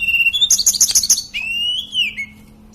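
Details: Sunda robin, known locally as tledekan or sulingan gunung, singing: a high steady whistle, then a rapid burst of bright chirping notes and a long whistled note that slowly falls, with faint low hum beneath.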